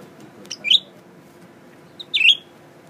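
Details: Newly acquired caged Blue-winged Leafbird, a male unafraid of people, singing while looking at its mirror image: two brief high slurred phrases about a second and a half apart, each a sharp note then a warbled twist, over quiet room background.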